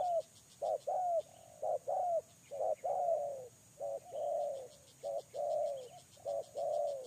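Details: A spotted dove used as a lure bird repeats two-part coos, short then long and dropping at the end, at roughly one pair per second over a soft high ticking.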